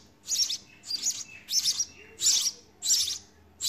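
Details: Nestling house sparrows calling as they are fed, with loud, rasping high chirps in clustered bursts about every half second, over a faint low background hum.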